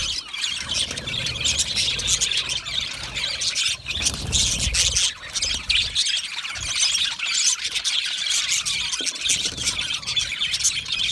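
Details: A budgie colony, happy and at ease, fills the air with unbroken scratchy chatter, squawks and squeals from numerous birds, plus intermittent low bumping sounds.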